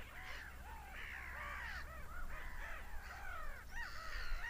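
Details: Seagulls screaming: loud arched squawks tumbling over each other, growing louder toward the end, with a steady low roar beneath.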